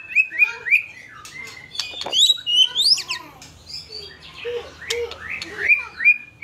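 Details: White-rumped shama singing energetically in fighter style, with quick whistled upslurs, sweeping high notes and scattered harsh clicks and chatter in a varied flow.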